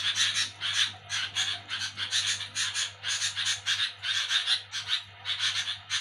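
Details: Sooty-headed bulbul calling noisily in the night with dense, scratchy chattering, harsh broadband bursts tumbling about three to four per second almost without pause, a low hum in the background.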